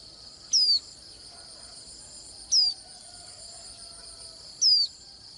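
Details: Three sharp, high, downslurred whistles from a Swinhoe's white-eye, spaced about two seconds apart. A constant shrill buzzing hum fills the background.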